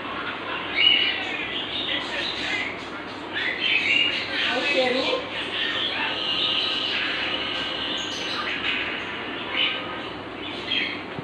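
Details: Male Indian ringneck parakeet, a talking bird, running about and chattering in rapid, high, raspy talk, speech-like phrases broken by sharp squawks and chirps throughout.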